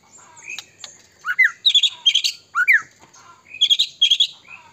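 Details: White-rumped shama (murai batu), Medan type, in full song, used as a lure to provoke other shamas to sing and become agitated; varied rapid phrases of whistled downslurs and bright tinkling bursts, grouped in clusters with short pauses between.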